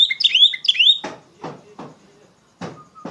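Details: Oriental magpie-robin, trigger song for tutoring young magpie-robins. A quick run of high, slurred whistles is followed by several sharp tapping or knocking sounds and a faint thin tone.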